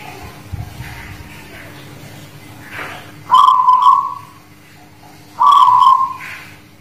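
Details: Zebra dove, guling Murio type from the Muria highlands of Kudus, performing its song: two loud, purring, trilled coos about two seconds apart, preceded by soft faint chatter and background noise.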